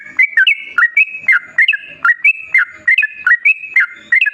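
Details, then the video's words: Yellow-vented bulbul in lively, continuous song, used as a lure to set other bulbuls singing; short gurgling whistled phrases with a sharp upward flick, delivered almost once per second. "Masteran Kicau Burung Trucukan Gacor Dor Pancingan Pikat"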